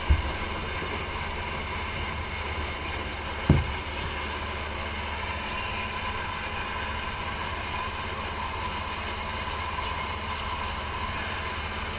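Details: Steady low rumble and broad hiss like a running engine, broken by one sharp knock, with no animal voice heard.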